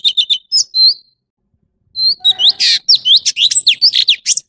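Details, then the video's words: Short bursts of quick chirps from an orange-bellied leafbird, a silent gap, then a busy phrase of upswept whistles and a harsh buzzy note. "Tiếng chim thanh tước trung quốc/Chim xanh vàng✅Orange-bellied leafbird"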